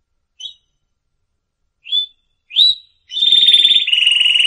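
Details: Canary singing, recorded for training canaries: a few short, separate high chirps, then a fast, steady rolling trill that shifts to a slightly lower trill near the end.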